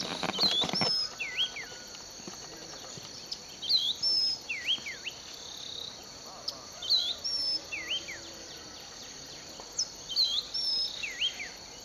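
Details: Mystery bird singing in a sugarcane field at Bulechia, Western Kenya, December 2011. A looping whistled phrase of swooping notes repeats about every three seconds, four times, over a steady high insect buzz. A brief rustle opens the recording.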